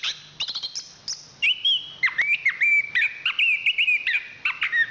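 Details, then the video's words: Anis kembang, the chestnut-capped thrush, a national champion songbird: a series of short clicks and chips, then sustained clear whistles with quick trills and warbled flourishes strung closely together. "Suara Kicauan Burung Anis Kembang Juara Nasional"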